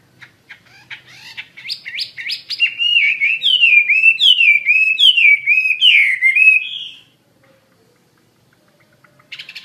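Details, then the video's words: Chinese hwamei in lively song: a few soft notes, then about five seconds of loud, rich whistled phrases with swooping downslurs, stopping abruptly into near silence before a brief final note. "SUARA KICAU BURUNG HWAMEI WAMBI GACOR"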